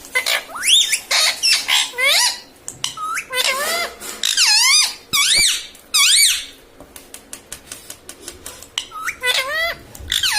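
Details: Indoor pet talking parrot, said to say mummy and papa, producing a dense string of shrill, swooping harmonic calls and squeaks, roughly once a second, with clicks between phrases.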